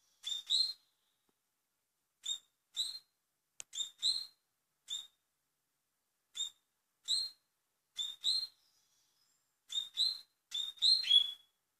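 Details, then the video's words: A double-collared seedeater in Portugal delivers velocista-style song: crisp chirps, often doubled, repeated steadily at irregular intervals of about one second, closing with a quicker cluster of buzzy notes. "COLEIRO Velocista"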